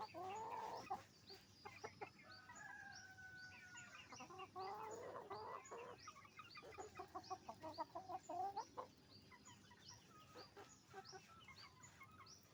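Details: Roosters and hens on a chicken farm making noise together: overlapping clucks, cackles and drawn-out squawking notes at a busy, irregular pace, with a low background hum.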